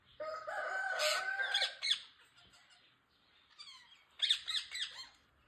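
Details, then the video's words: Rose-ringed parakeet, a green ringneck parrot, uttering a long harsh screech with grating overtones, a brief quiet gap with faint notes, then another burst of loud rasping squawks. "Parrots natural sound"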